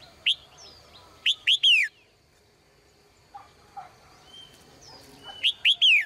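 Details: Caged female bird singing in the morning. A lone sharp chirp comes first, then a rapid triplet of downslurred notes, a soft low pause with faint notes, and another bright triplet at the end.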